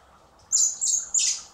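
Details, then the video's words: Common blackbird chicks being hand-fed in spring at a wildlife recovery centre before release give three high, harsh squawks in quick succession, each sharp and piercing, over a quiet background. "Cebando a los polluelos de mirlo común (Turdus merula)"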